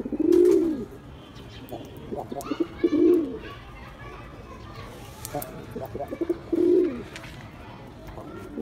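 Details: Black male pigeon in a display performance, cooing three times in deep, rounded bursts, the first loudest, with faint rustling and scattered clicks in the gaps.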